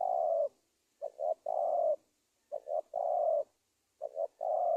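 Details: Repeated spotted dove cooing used to draw wild doves to a trap: a long coo, then two more phrases of two short clipped notes and a drawn-out husky coo, about every one and a half seconds.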